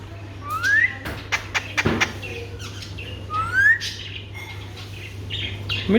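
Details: Alexandrine parakeet, called an Alexander parrot, kept as a pet talking parrot in Pakistan or India, giving rising whistled slurs twice among sharp clicks and short chatter, with speech heard nearby.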